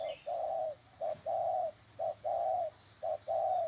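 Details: Tethered spotted dove cooing fervently, with clear regular low coo phrases, a short note followed by a longer sustained coo, repeated about once a second against a quiet background.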